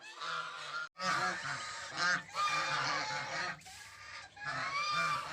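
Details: Mischievous goslings call loudly, with drawn-out nasal honks that run almost without pause, broken by one brief silence near the start.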